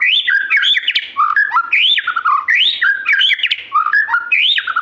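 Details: White-rumped shama singing energetically: loud, varied whistled phrases that rise and fall, with slurred upsweeps and short notes repeated in quick, rich sequences, filling the whole stretch without pause.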